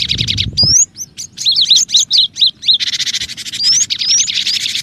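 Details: Cinereous tit sounds meant to lure birds, especially reluctant singers: stuttering buzzy notes, a rising whistle, a string of quick hooked chirps, then a long harsh churr crossed by upslurred whistles.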